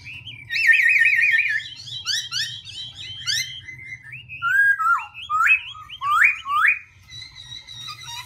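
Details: Black-throated laughingthrush song, constantly shifting: a rapid buzzy trill opens, then assorted quick slurred whistles and chirps, finishing with several loud upswept notes in a row.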